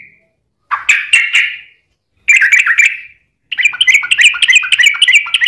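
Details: ["Yellow-vented bulbul in gacor, long 'ropel' song style, used as a lure to make other bulbuls answer; three bursts of bubbly, chattering warbled notes with short gaps of silence between them."]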